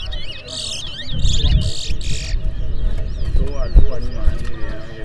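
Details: At a Guyanese bird whistling competition in Port Mourant, 2024, a chestnut-bellied seed finch gives harsh buzzy bursts followed by a few sliding whistles, while people talk and a low hum persists.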